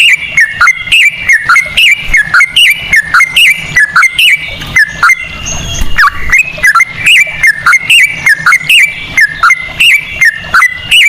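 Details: Sooty-headed bulbul singing a rapid 'ropel' song in straw-headed bulbul style, used as a lure to prompt other birds to sing: quick runs of short, clear whistled notes with up-and-down inflections, repeated over and over, with a brief rustling break midway.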